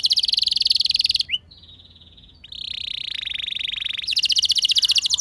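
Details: Canary song used to get other canaries singing, made of fast buzzy trills separated by a softer sustained whistled stretch.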